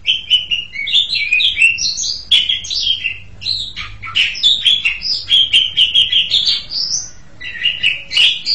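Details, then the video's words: Continuous varied song of an Asian pied starling, mixing fluty whistles, harsh grating notes and rapid chattering, rising and falling without pause, a high upslurred whistle near the end. "JALAK SUREN"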